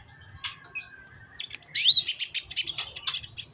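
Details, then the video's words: Training recording of a kolibri ninja sunbird: a few scattered high notes, then a twisting slurred whistle leading into a steady run of about a dozen quick high chirps. "masteran burung Kolibri ninja agar cepet gacor dan ngobra"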